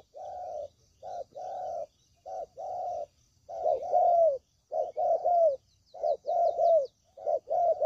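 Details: Spotted dove (tekukur) lure call used for trapping: repeated low cooing phrases, short coo followed by longer hoarse coo, in a broken series; faint high chirps from other small birds above.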